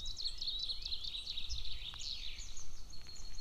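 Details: Golden eagle chick calling persistently at the nest on 22 June 2024, near a military training ground; continuous high, tumbling chirps and downslurred squeaks fill the whole stretch, with low wind-like rumble beneath.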